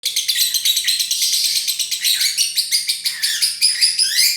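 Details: Lovebird chattering: dense, continuous high twittering and chirps, rapid and buzzy, with quick pulsed notes throughout and no pauses.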